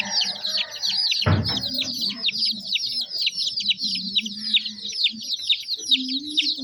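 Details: Baby chicken chicks in a group give a dense, continuous chorus of high, thin chirps, many short downward-sliding peeps overlapping, with one brief low thump near the start and a faint low hum underneath.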